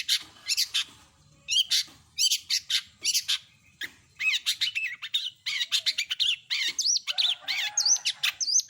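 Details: Long-tailed shrike in full mimicking song, a rapid, varied stream of chattering notes, squeaky slurred whistles and rising-falling warbles, packed densely with brief harsh bursts between.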